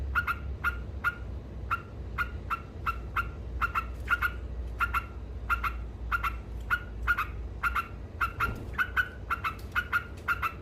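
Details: Continuous 'ngekek' chatter from a trucuk, the yellow-vented bulbul, described as provoking rivals: evenly spaced, sharp, metallic chips, occasionally in quick pairs, over a steady low droning background.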